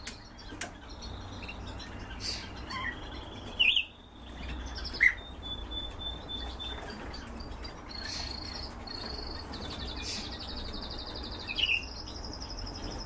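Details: Captive canaries raised for breeding: thin sustained high whistles and short chirps early on, later a bright rolling trill of rapid repeated notes lasting several seconds. A steady low hum fills the background.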